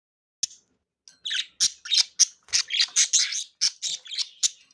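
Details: Three pet budgerigars playing indoors, chirping excitedly: a dense run of short, sharp, high chirps and squawky bursts, about two per second, after a quiet start.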